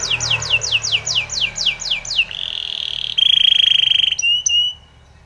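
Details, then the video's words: Timbrado canary training song of about nine evenly spaced falling whistled sweeps, then a low buzzy held trill, a higher rapid rattle, and two brief chirps before silence. "Spanish Timbrado canary song for training"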